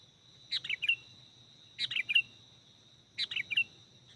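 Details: Kutilang, the sooty-headed bulbul, heard in a bird-luring setting: three clear phrases of quick fluty, descending notes, one roughly every 1.4 seconds, with a constant high electronic-like whine and faint low rumble behind.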